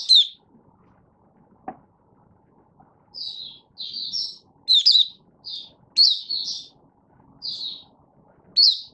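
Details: Malaysian Mata Puteh (Oriental white-eye), a caged songbird out of form, delivering 'buka sing' song in August 2023: short separate high chirps and doublets spaced through the passage, with one sharp click and quiet surroundings.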